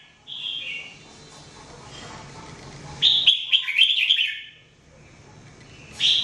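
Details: Jambul, the red-whiskered bulbul, recorded singing for training: a brief whistled note, then a rapid bubbling warble mid-clip and a final sharp phrase, all high and clear over faint background hiss.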